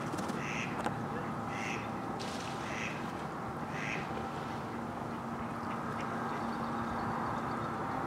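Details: Adult mallards, male and female, at Domaine Maizerets on 27 March 2018; four loud, harsh quacks spaced roughly a second apart, then quiet apart from a steady humming background drone.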